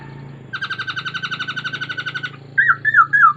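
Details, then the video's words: Laughingthrush song: a fast, even trill of repeated buzzy notes for about two seconds, then loud, rich whistled warbling phrases that rise and fall, over a low steady indoor hum. "Tiếng chim khướu hót hay nhất"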